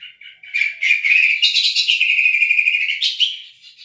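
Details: Greater green leafbird (cucak ijo) song used to coax non-singing birds into singing: a loud, continuous rapid warble of rich chirps holding one pitch band, with brief bright upward flourishes.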